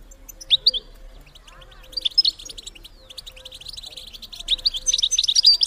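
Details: Female European goldfinch calling to stimulate males to mate: a brief high note, then quickening bursts of thin, high twittering chips that grow denser and louder toward the end, over a faint low hum.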